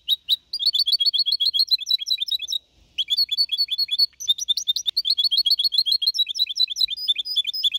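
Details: Young goldfinch hybrid, 4.5 months old, singing clean Malaga-style copy in 2021: long continuous runs of rapid, bright, warbling chirps with one short break.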